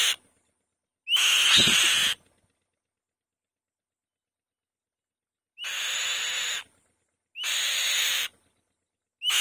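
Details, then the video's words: Female white-tailed kite calling loudly from the nest: a series of five harsh, breathy rasps with whistled starts, one near the beginning joined by a low thump, then a long quiet gap. "White-Tailed Kite | The Female Bird Makes a Loud Noise On The Nest"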